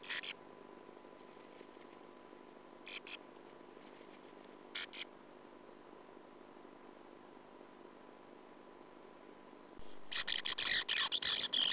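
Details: Sand martins inside a colony nest hole on a 2009 nestcam, where an intruding female persistently attacked the young; brief scattered chirps, then a sustained harsh, rapid chatter in the final two seconds.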